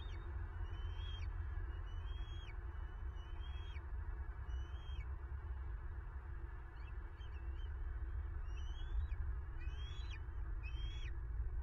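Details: Bald eagle at its nest in Florida, recorded by a nest camera on 9 March 2023 as a female takes prey: a series of high, thin, slurred chirps, some doubled, repeated irregularly over a steady low wind rumble.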